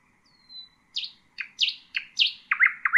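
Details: Nightingale song used for teaching young birds: a thin whistle, then a series of loud, sharp, down-slurred notes repeated about every third of a second.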